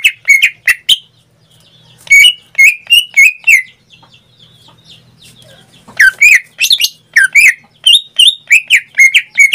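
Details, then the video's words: Caged greater green leafbird singing energetically: quick clusters of sharp, ringing whistles and slurred chips, separated by two short quiet gaps, each burst varied in pitch and delivered in a lively, chattering rhythm. "Suara cucak ijo suaranya tidak diragukan lagi"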